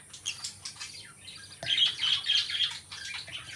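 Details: Companion lovebirds kept as a pair, giving a continuous rapid chatter of high squeaky notes that swells louder midway, over a low background hum.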